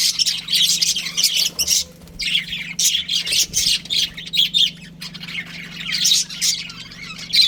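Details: Pet budgies of a breeding pair giving busy, scratchy chirps and squawks in clustered bursts with brief pauses, over a constant low electrical hum.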